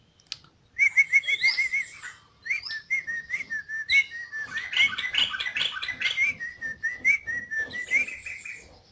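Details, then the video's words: Yellow-vented bulbul in full song: a string of short, bright, repeated whistled notes followed by a long bubbly, gurgling warble of liquid phrases at a steady mid-high pitch. "Suara Burung Trucuk Gacor"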